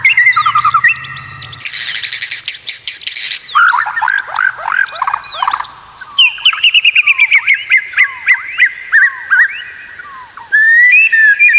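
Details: Training song of the white-rumped shama, used to get kept birds singing often and consistently: varied phrases of buzzy bursts, downslurred whistles and rapid chips, with quick changes between note types and short pauses.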